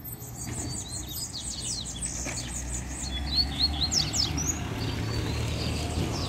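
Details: Double-collared Seedeaters singing outdoors during a walk, one arriving from behind; quick thin whistled and trilled notes in rapid descending sweeps, some buzzy, over steady low rumble and a man talking in Portuguese.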